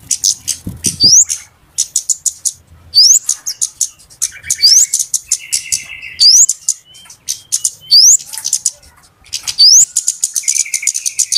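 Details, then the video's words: Lure audio of busy flowerpeckers for trappers: dense runs of very high ticking chips, broken by sharp rising squeaks roughly every one to two seconds, with short buzzy trills in between. "SUARA PIKAT BURUNG KEMADE RIBUT/ BURUNG CABE-CABEAN"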